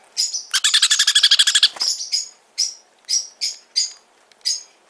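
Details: Hand-fed sun conure chick in a Fukuoka shop, Japan: a second-long burst of rapid harsh rasping pulses, followed by single high squeaky chirps spaced roughly every half second.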